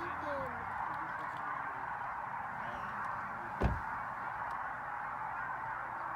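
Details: Greater sandhill cranes (Antigone canadensis tabida) in the San Luis Valley: a large flock's rolling, honking calls blend into one continuous chorus, with a single sharp thump midway.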